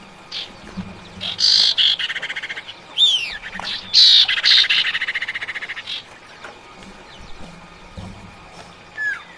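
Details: Calling female common iora summoning the male: harsh buzzy bursts with rattling chatter, a pair of steep downslurred whistles, then another loud burst and a long quick rattle, before quiet with faint chirps.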